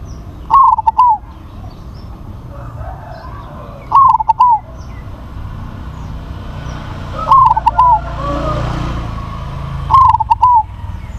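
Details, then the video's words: Four evenly paced coo phrases, about three seconds apart, come from a crossbred zebra dove with a big voice. Each phrase is a clipped opening, rapid stutters and a long falling coo, over a low rumble. "PERKUTUT CROSSING SUARA BESAR"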